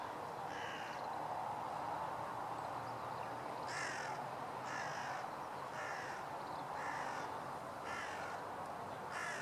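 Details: Crows pressing in on a Northern Goshawk during a conflict, 2016-04-04: one early caw, then a run of six harsh, grating caws roughly one second apart above a steady hiss.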